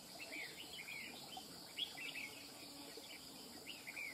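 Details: Freshly caught red-whiskered bulbul singing cầu cánh mỏ phrases in rapid succession. Bright whistled, slurred notes repeat roughly every half second to second, with steady cricket noise underneath.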